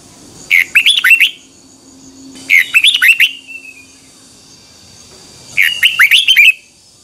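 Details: Three energetic phrases of rapid, twisting whistled notes from a Red-whiskered bulbul, each about a second long with short gaps, over a faint steady high tone; morning training song in the double twisting voice style, 2021.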